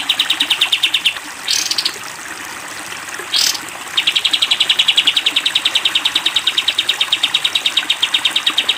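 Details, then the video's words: Sooty-headed bulbul used as a cage-bird training recording: a fast high note series, two rising swoops in a pause, then a long steady volley of rapid clipped notes over faint running water. "masteran kapas tembak panjang"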